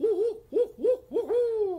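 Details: A Barred Owl gives its rhythmic "who cooks for you" night hoot, typical of wet areas near creeks and lakes in central and eastern North America: four low, wavering notes, the last one drawn out and sliding downward.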